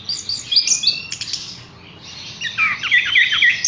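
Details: Horsfield's bush lark kept in a cage gives bright, clipped chirps, a quiet gap, then a run of quick looping whistled notes repeated about twice a second, over faint background hum.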